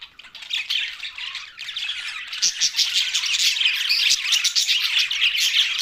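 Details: Budgerigar chatter: busy, high-pitched warbling and scratchy chirps that start sparse, then thicken into a continuous overlapping stream from the middle onward.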